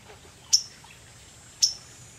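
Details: Waterthrush dancing on a branch just above the recordist on 30 July, giving two sharp, very high metallic chip notes about a second apart against a quiet background.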